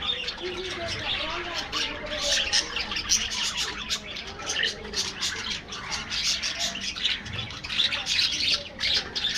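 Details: A group of budgerigars eating their afternoon meal in an aviary, giving a continuous stream of scratchy chirps, trills and gargling warbles from many birds at once.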